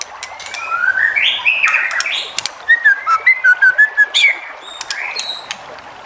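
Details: White-rumped shama song used to provoke other shamas into singing: varied whistled phrases weaving between low and high pitch, then a fast run of short bright repeated notes, with sharp clicks and a faint hiss behind.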